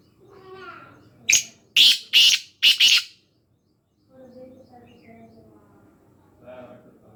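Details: Black francolin in Khushab calling a rhythmic series of five harsh, rasping notes within two seconds, with faint low voices before and after.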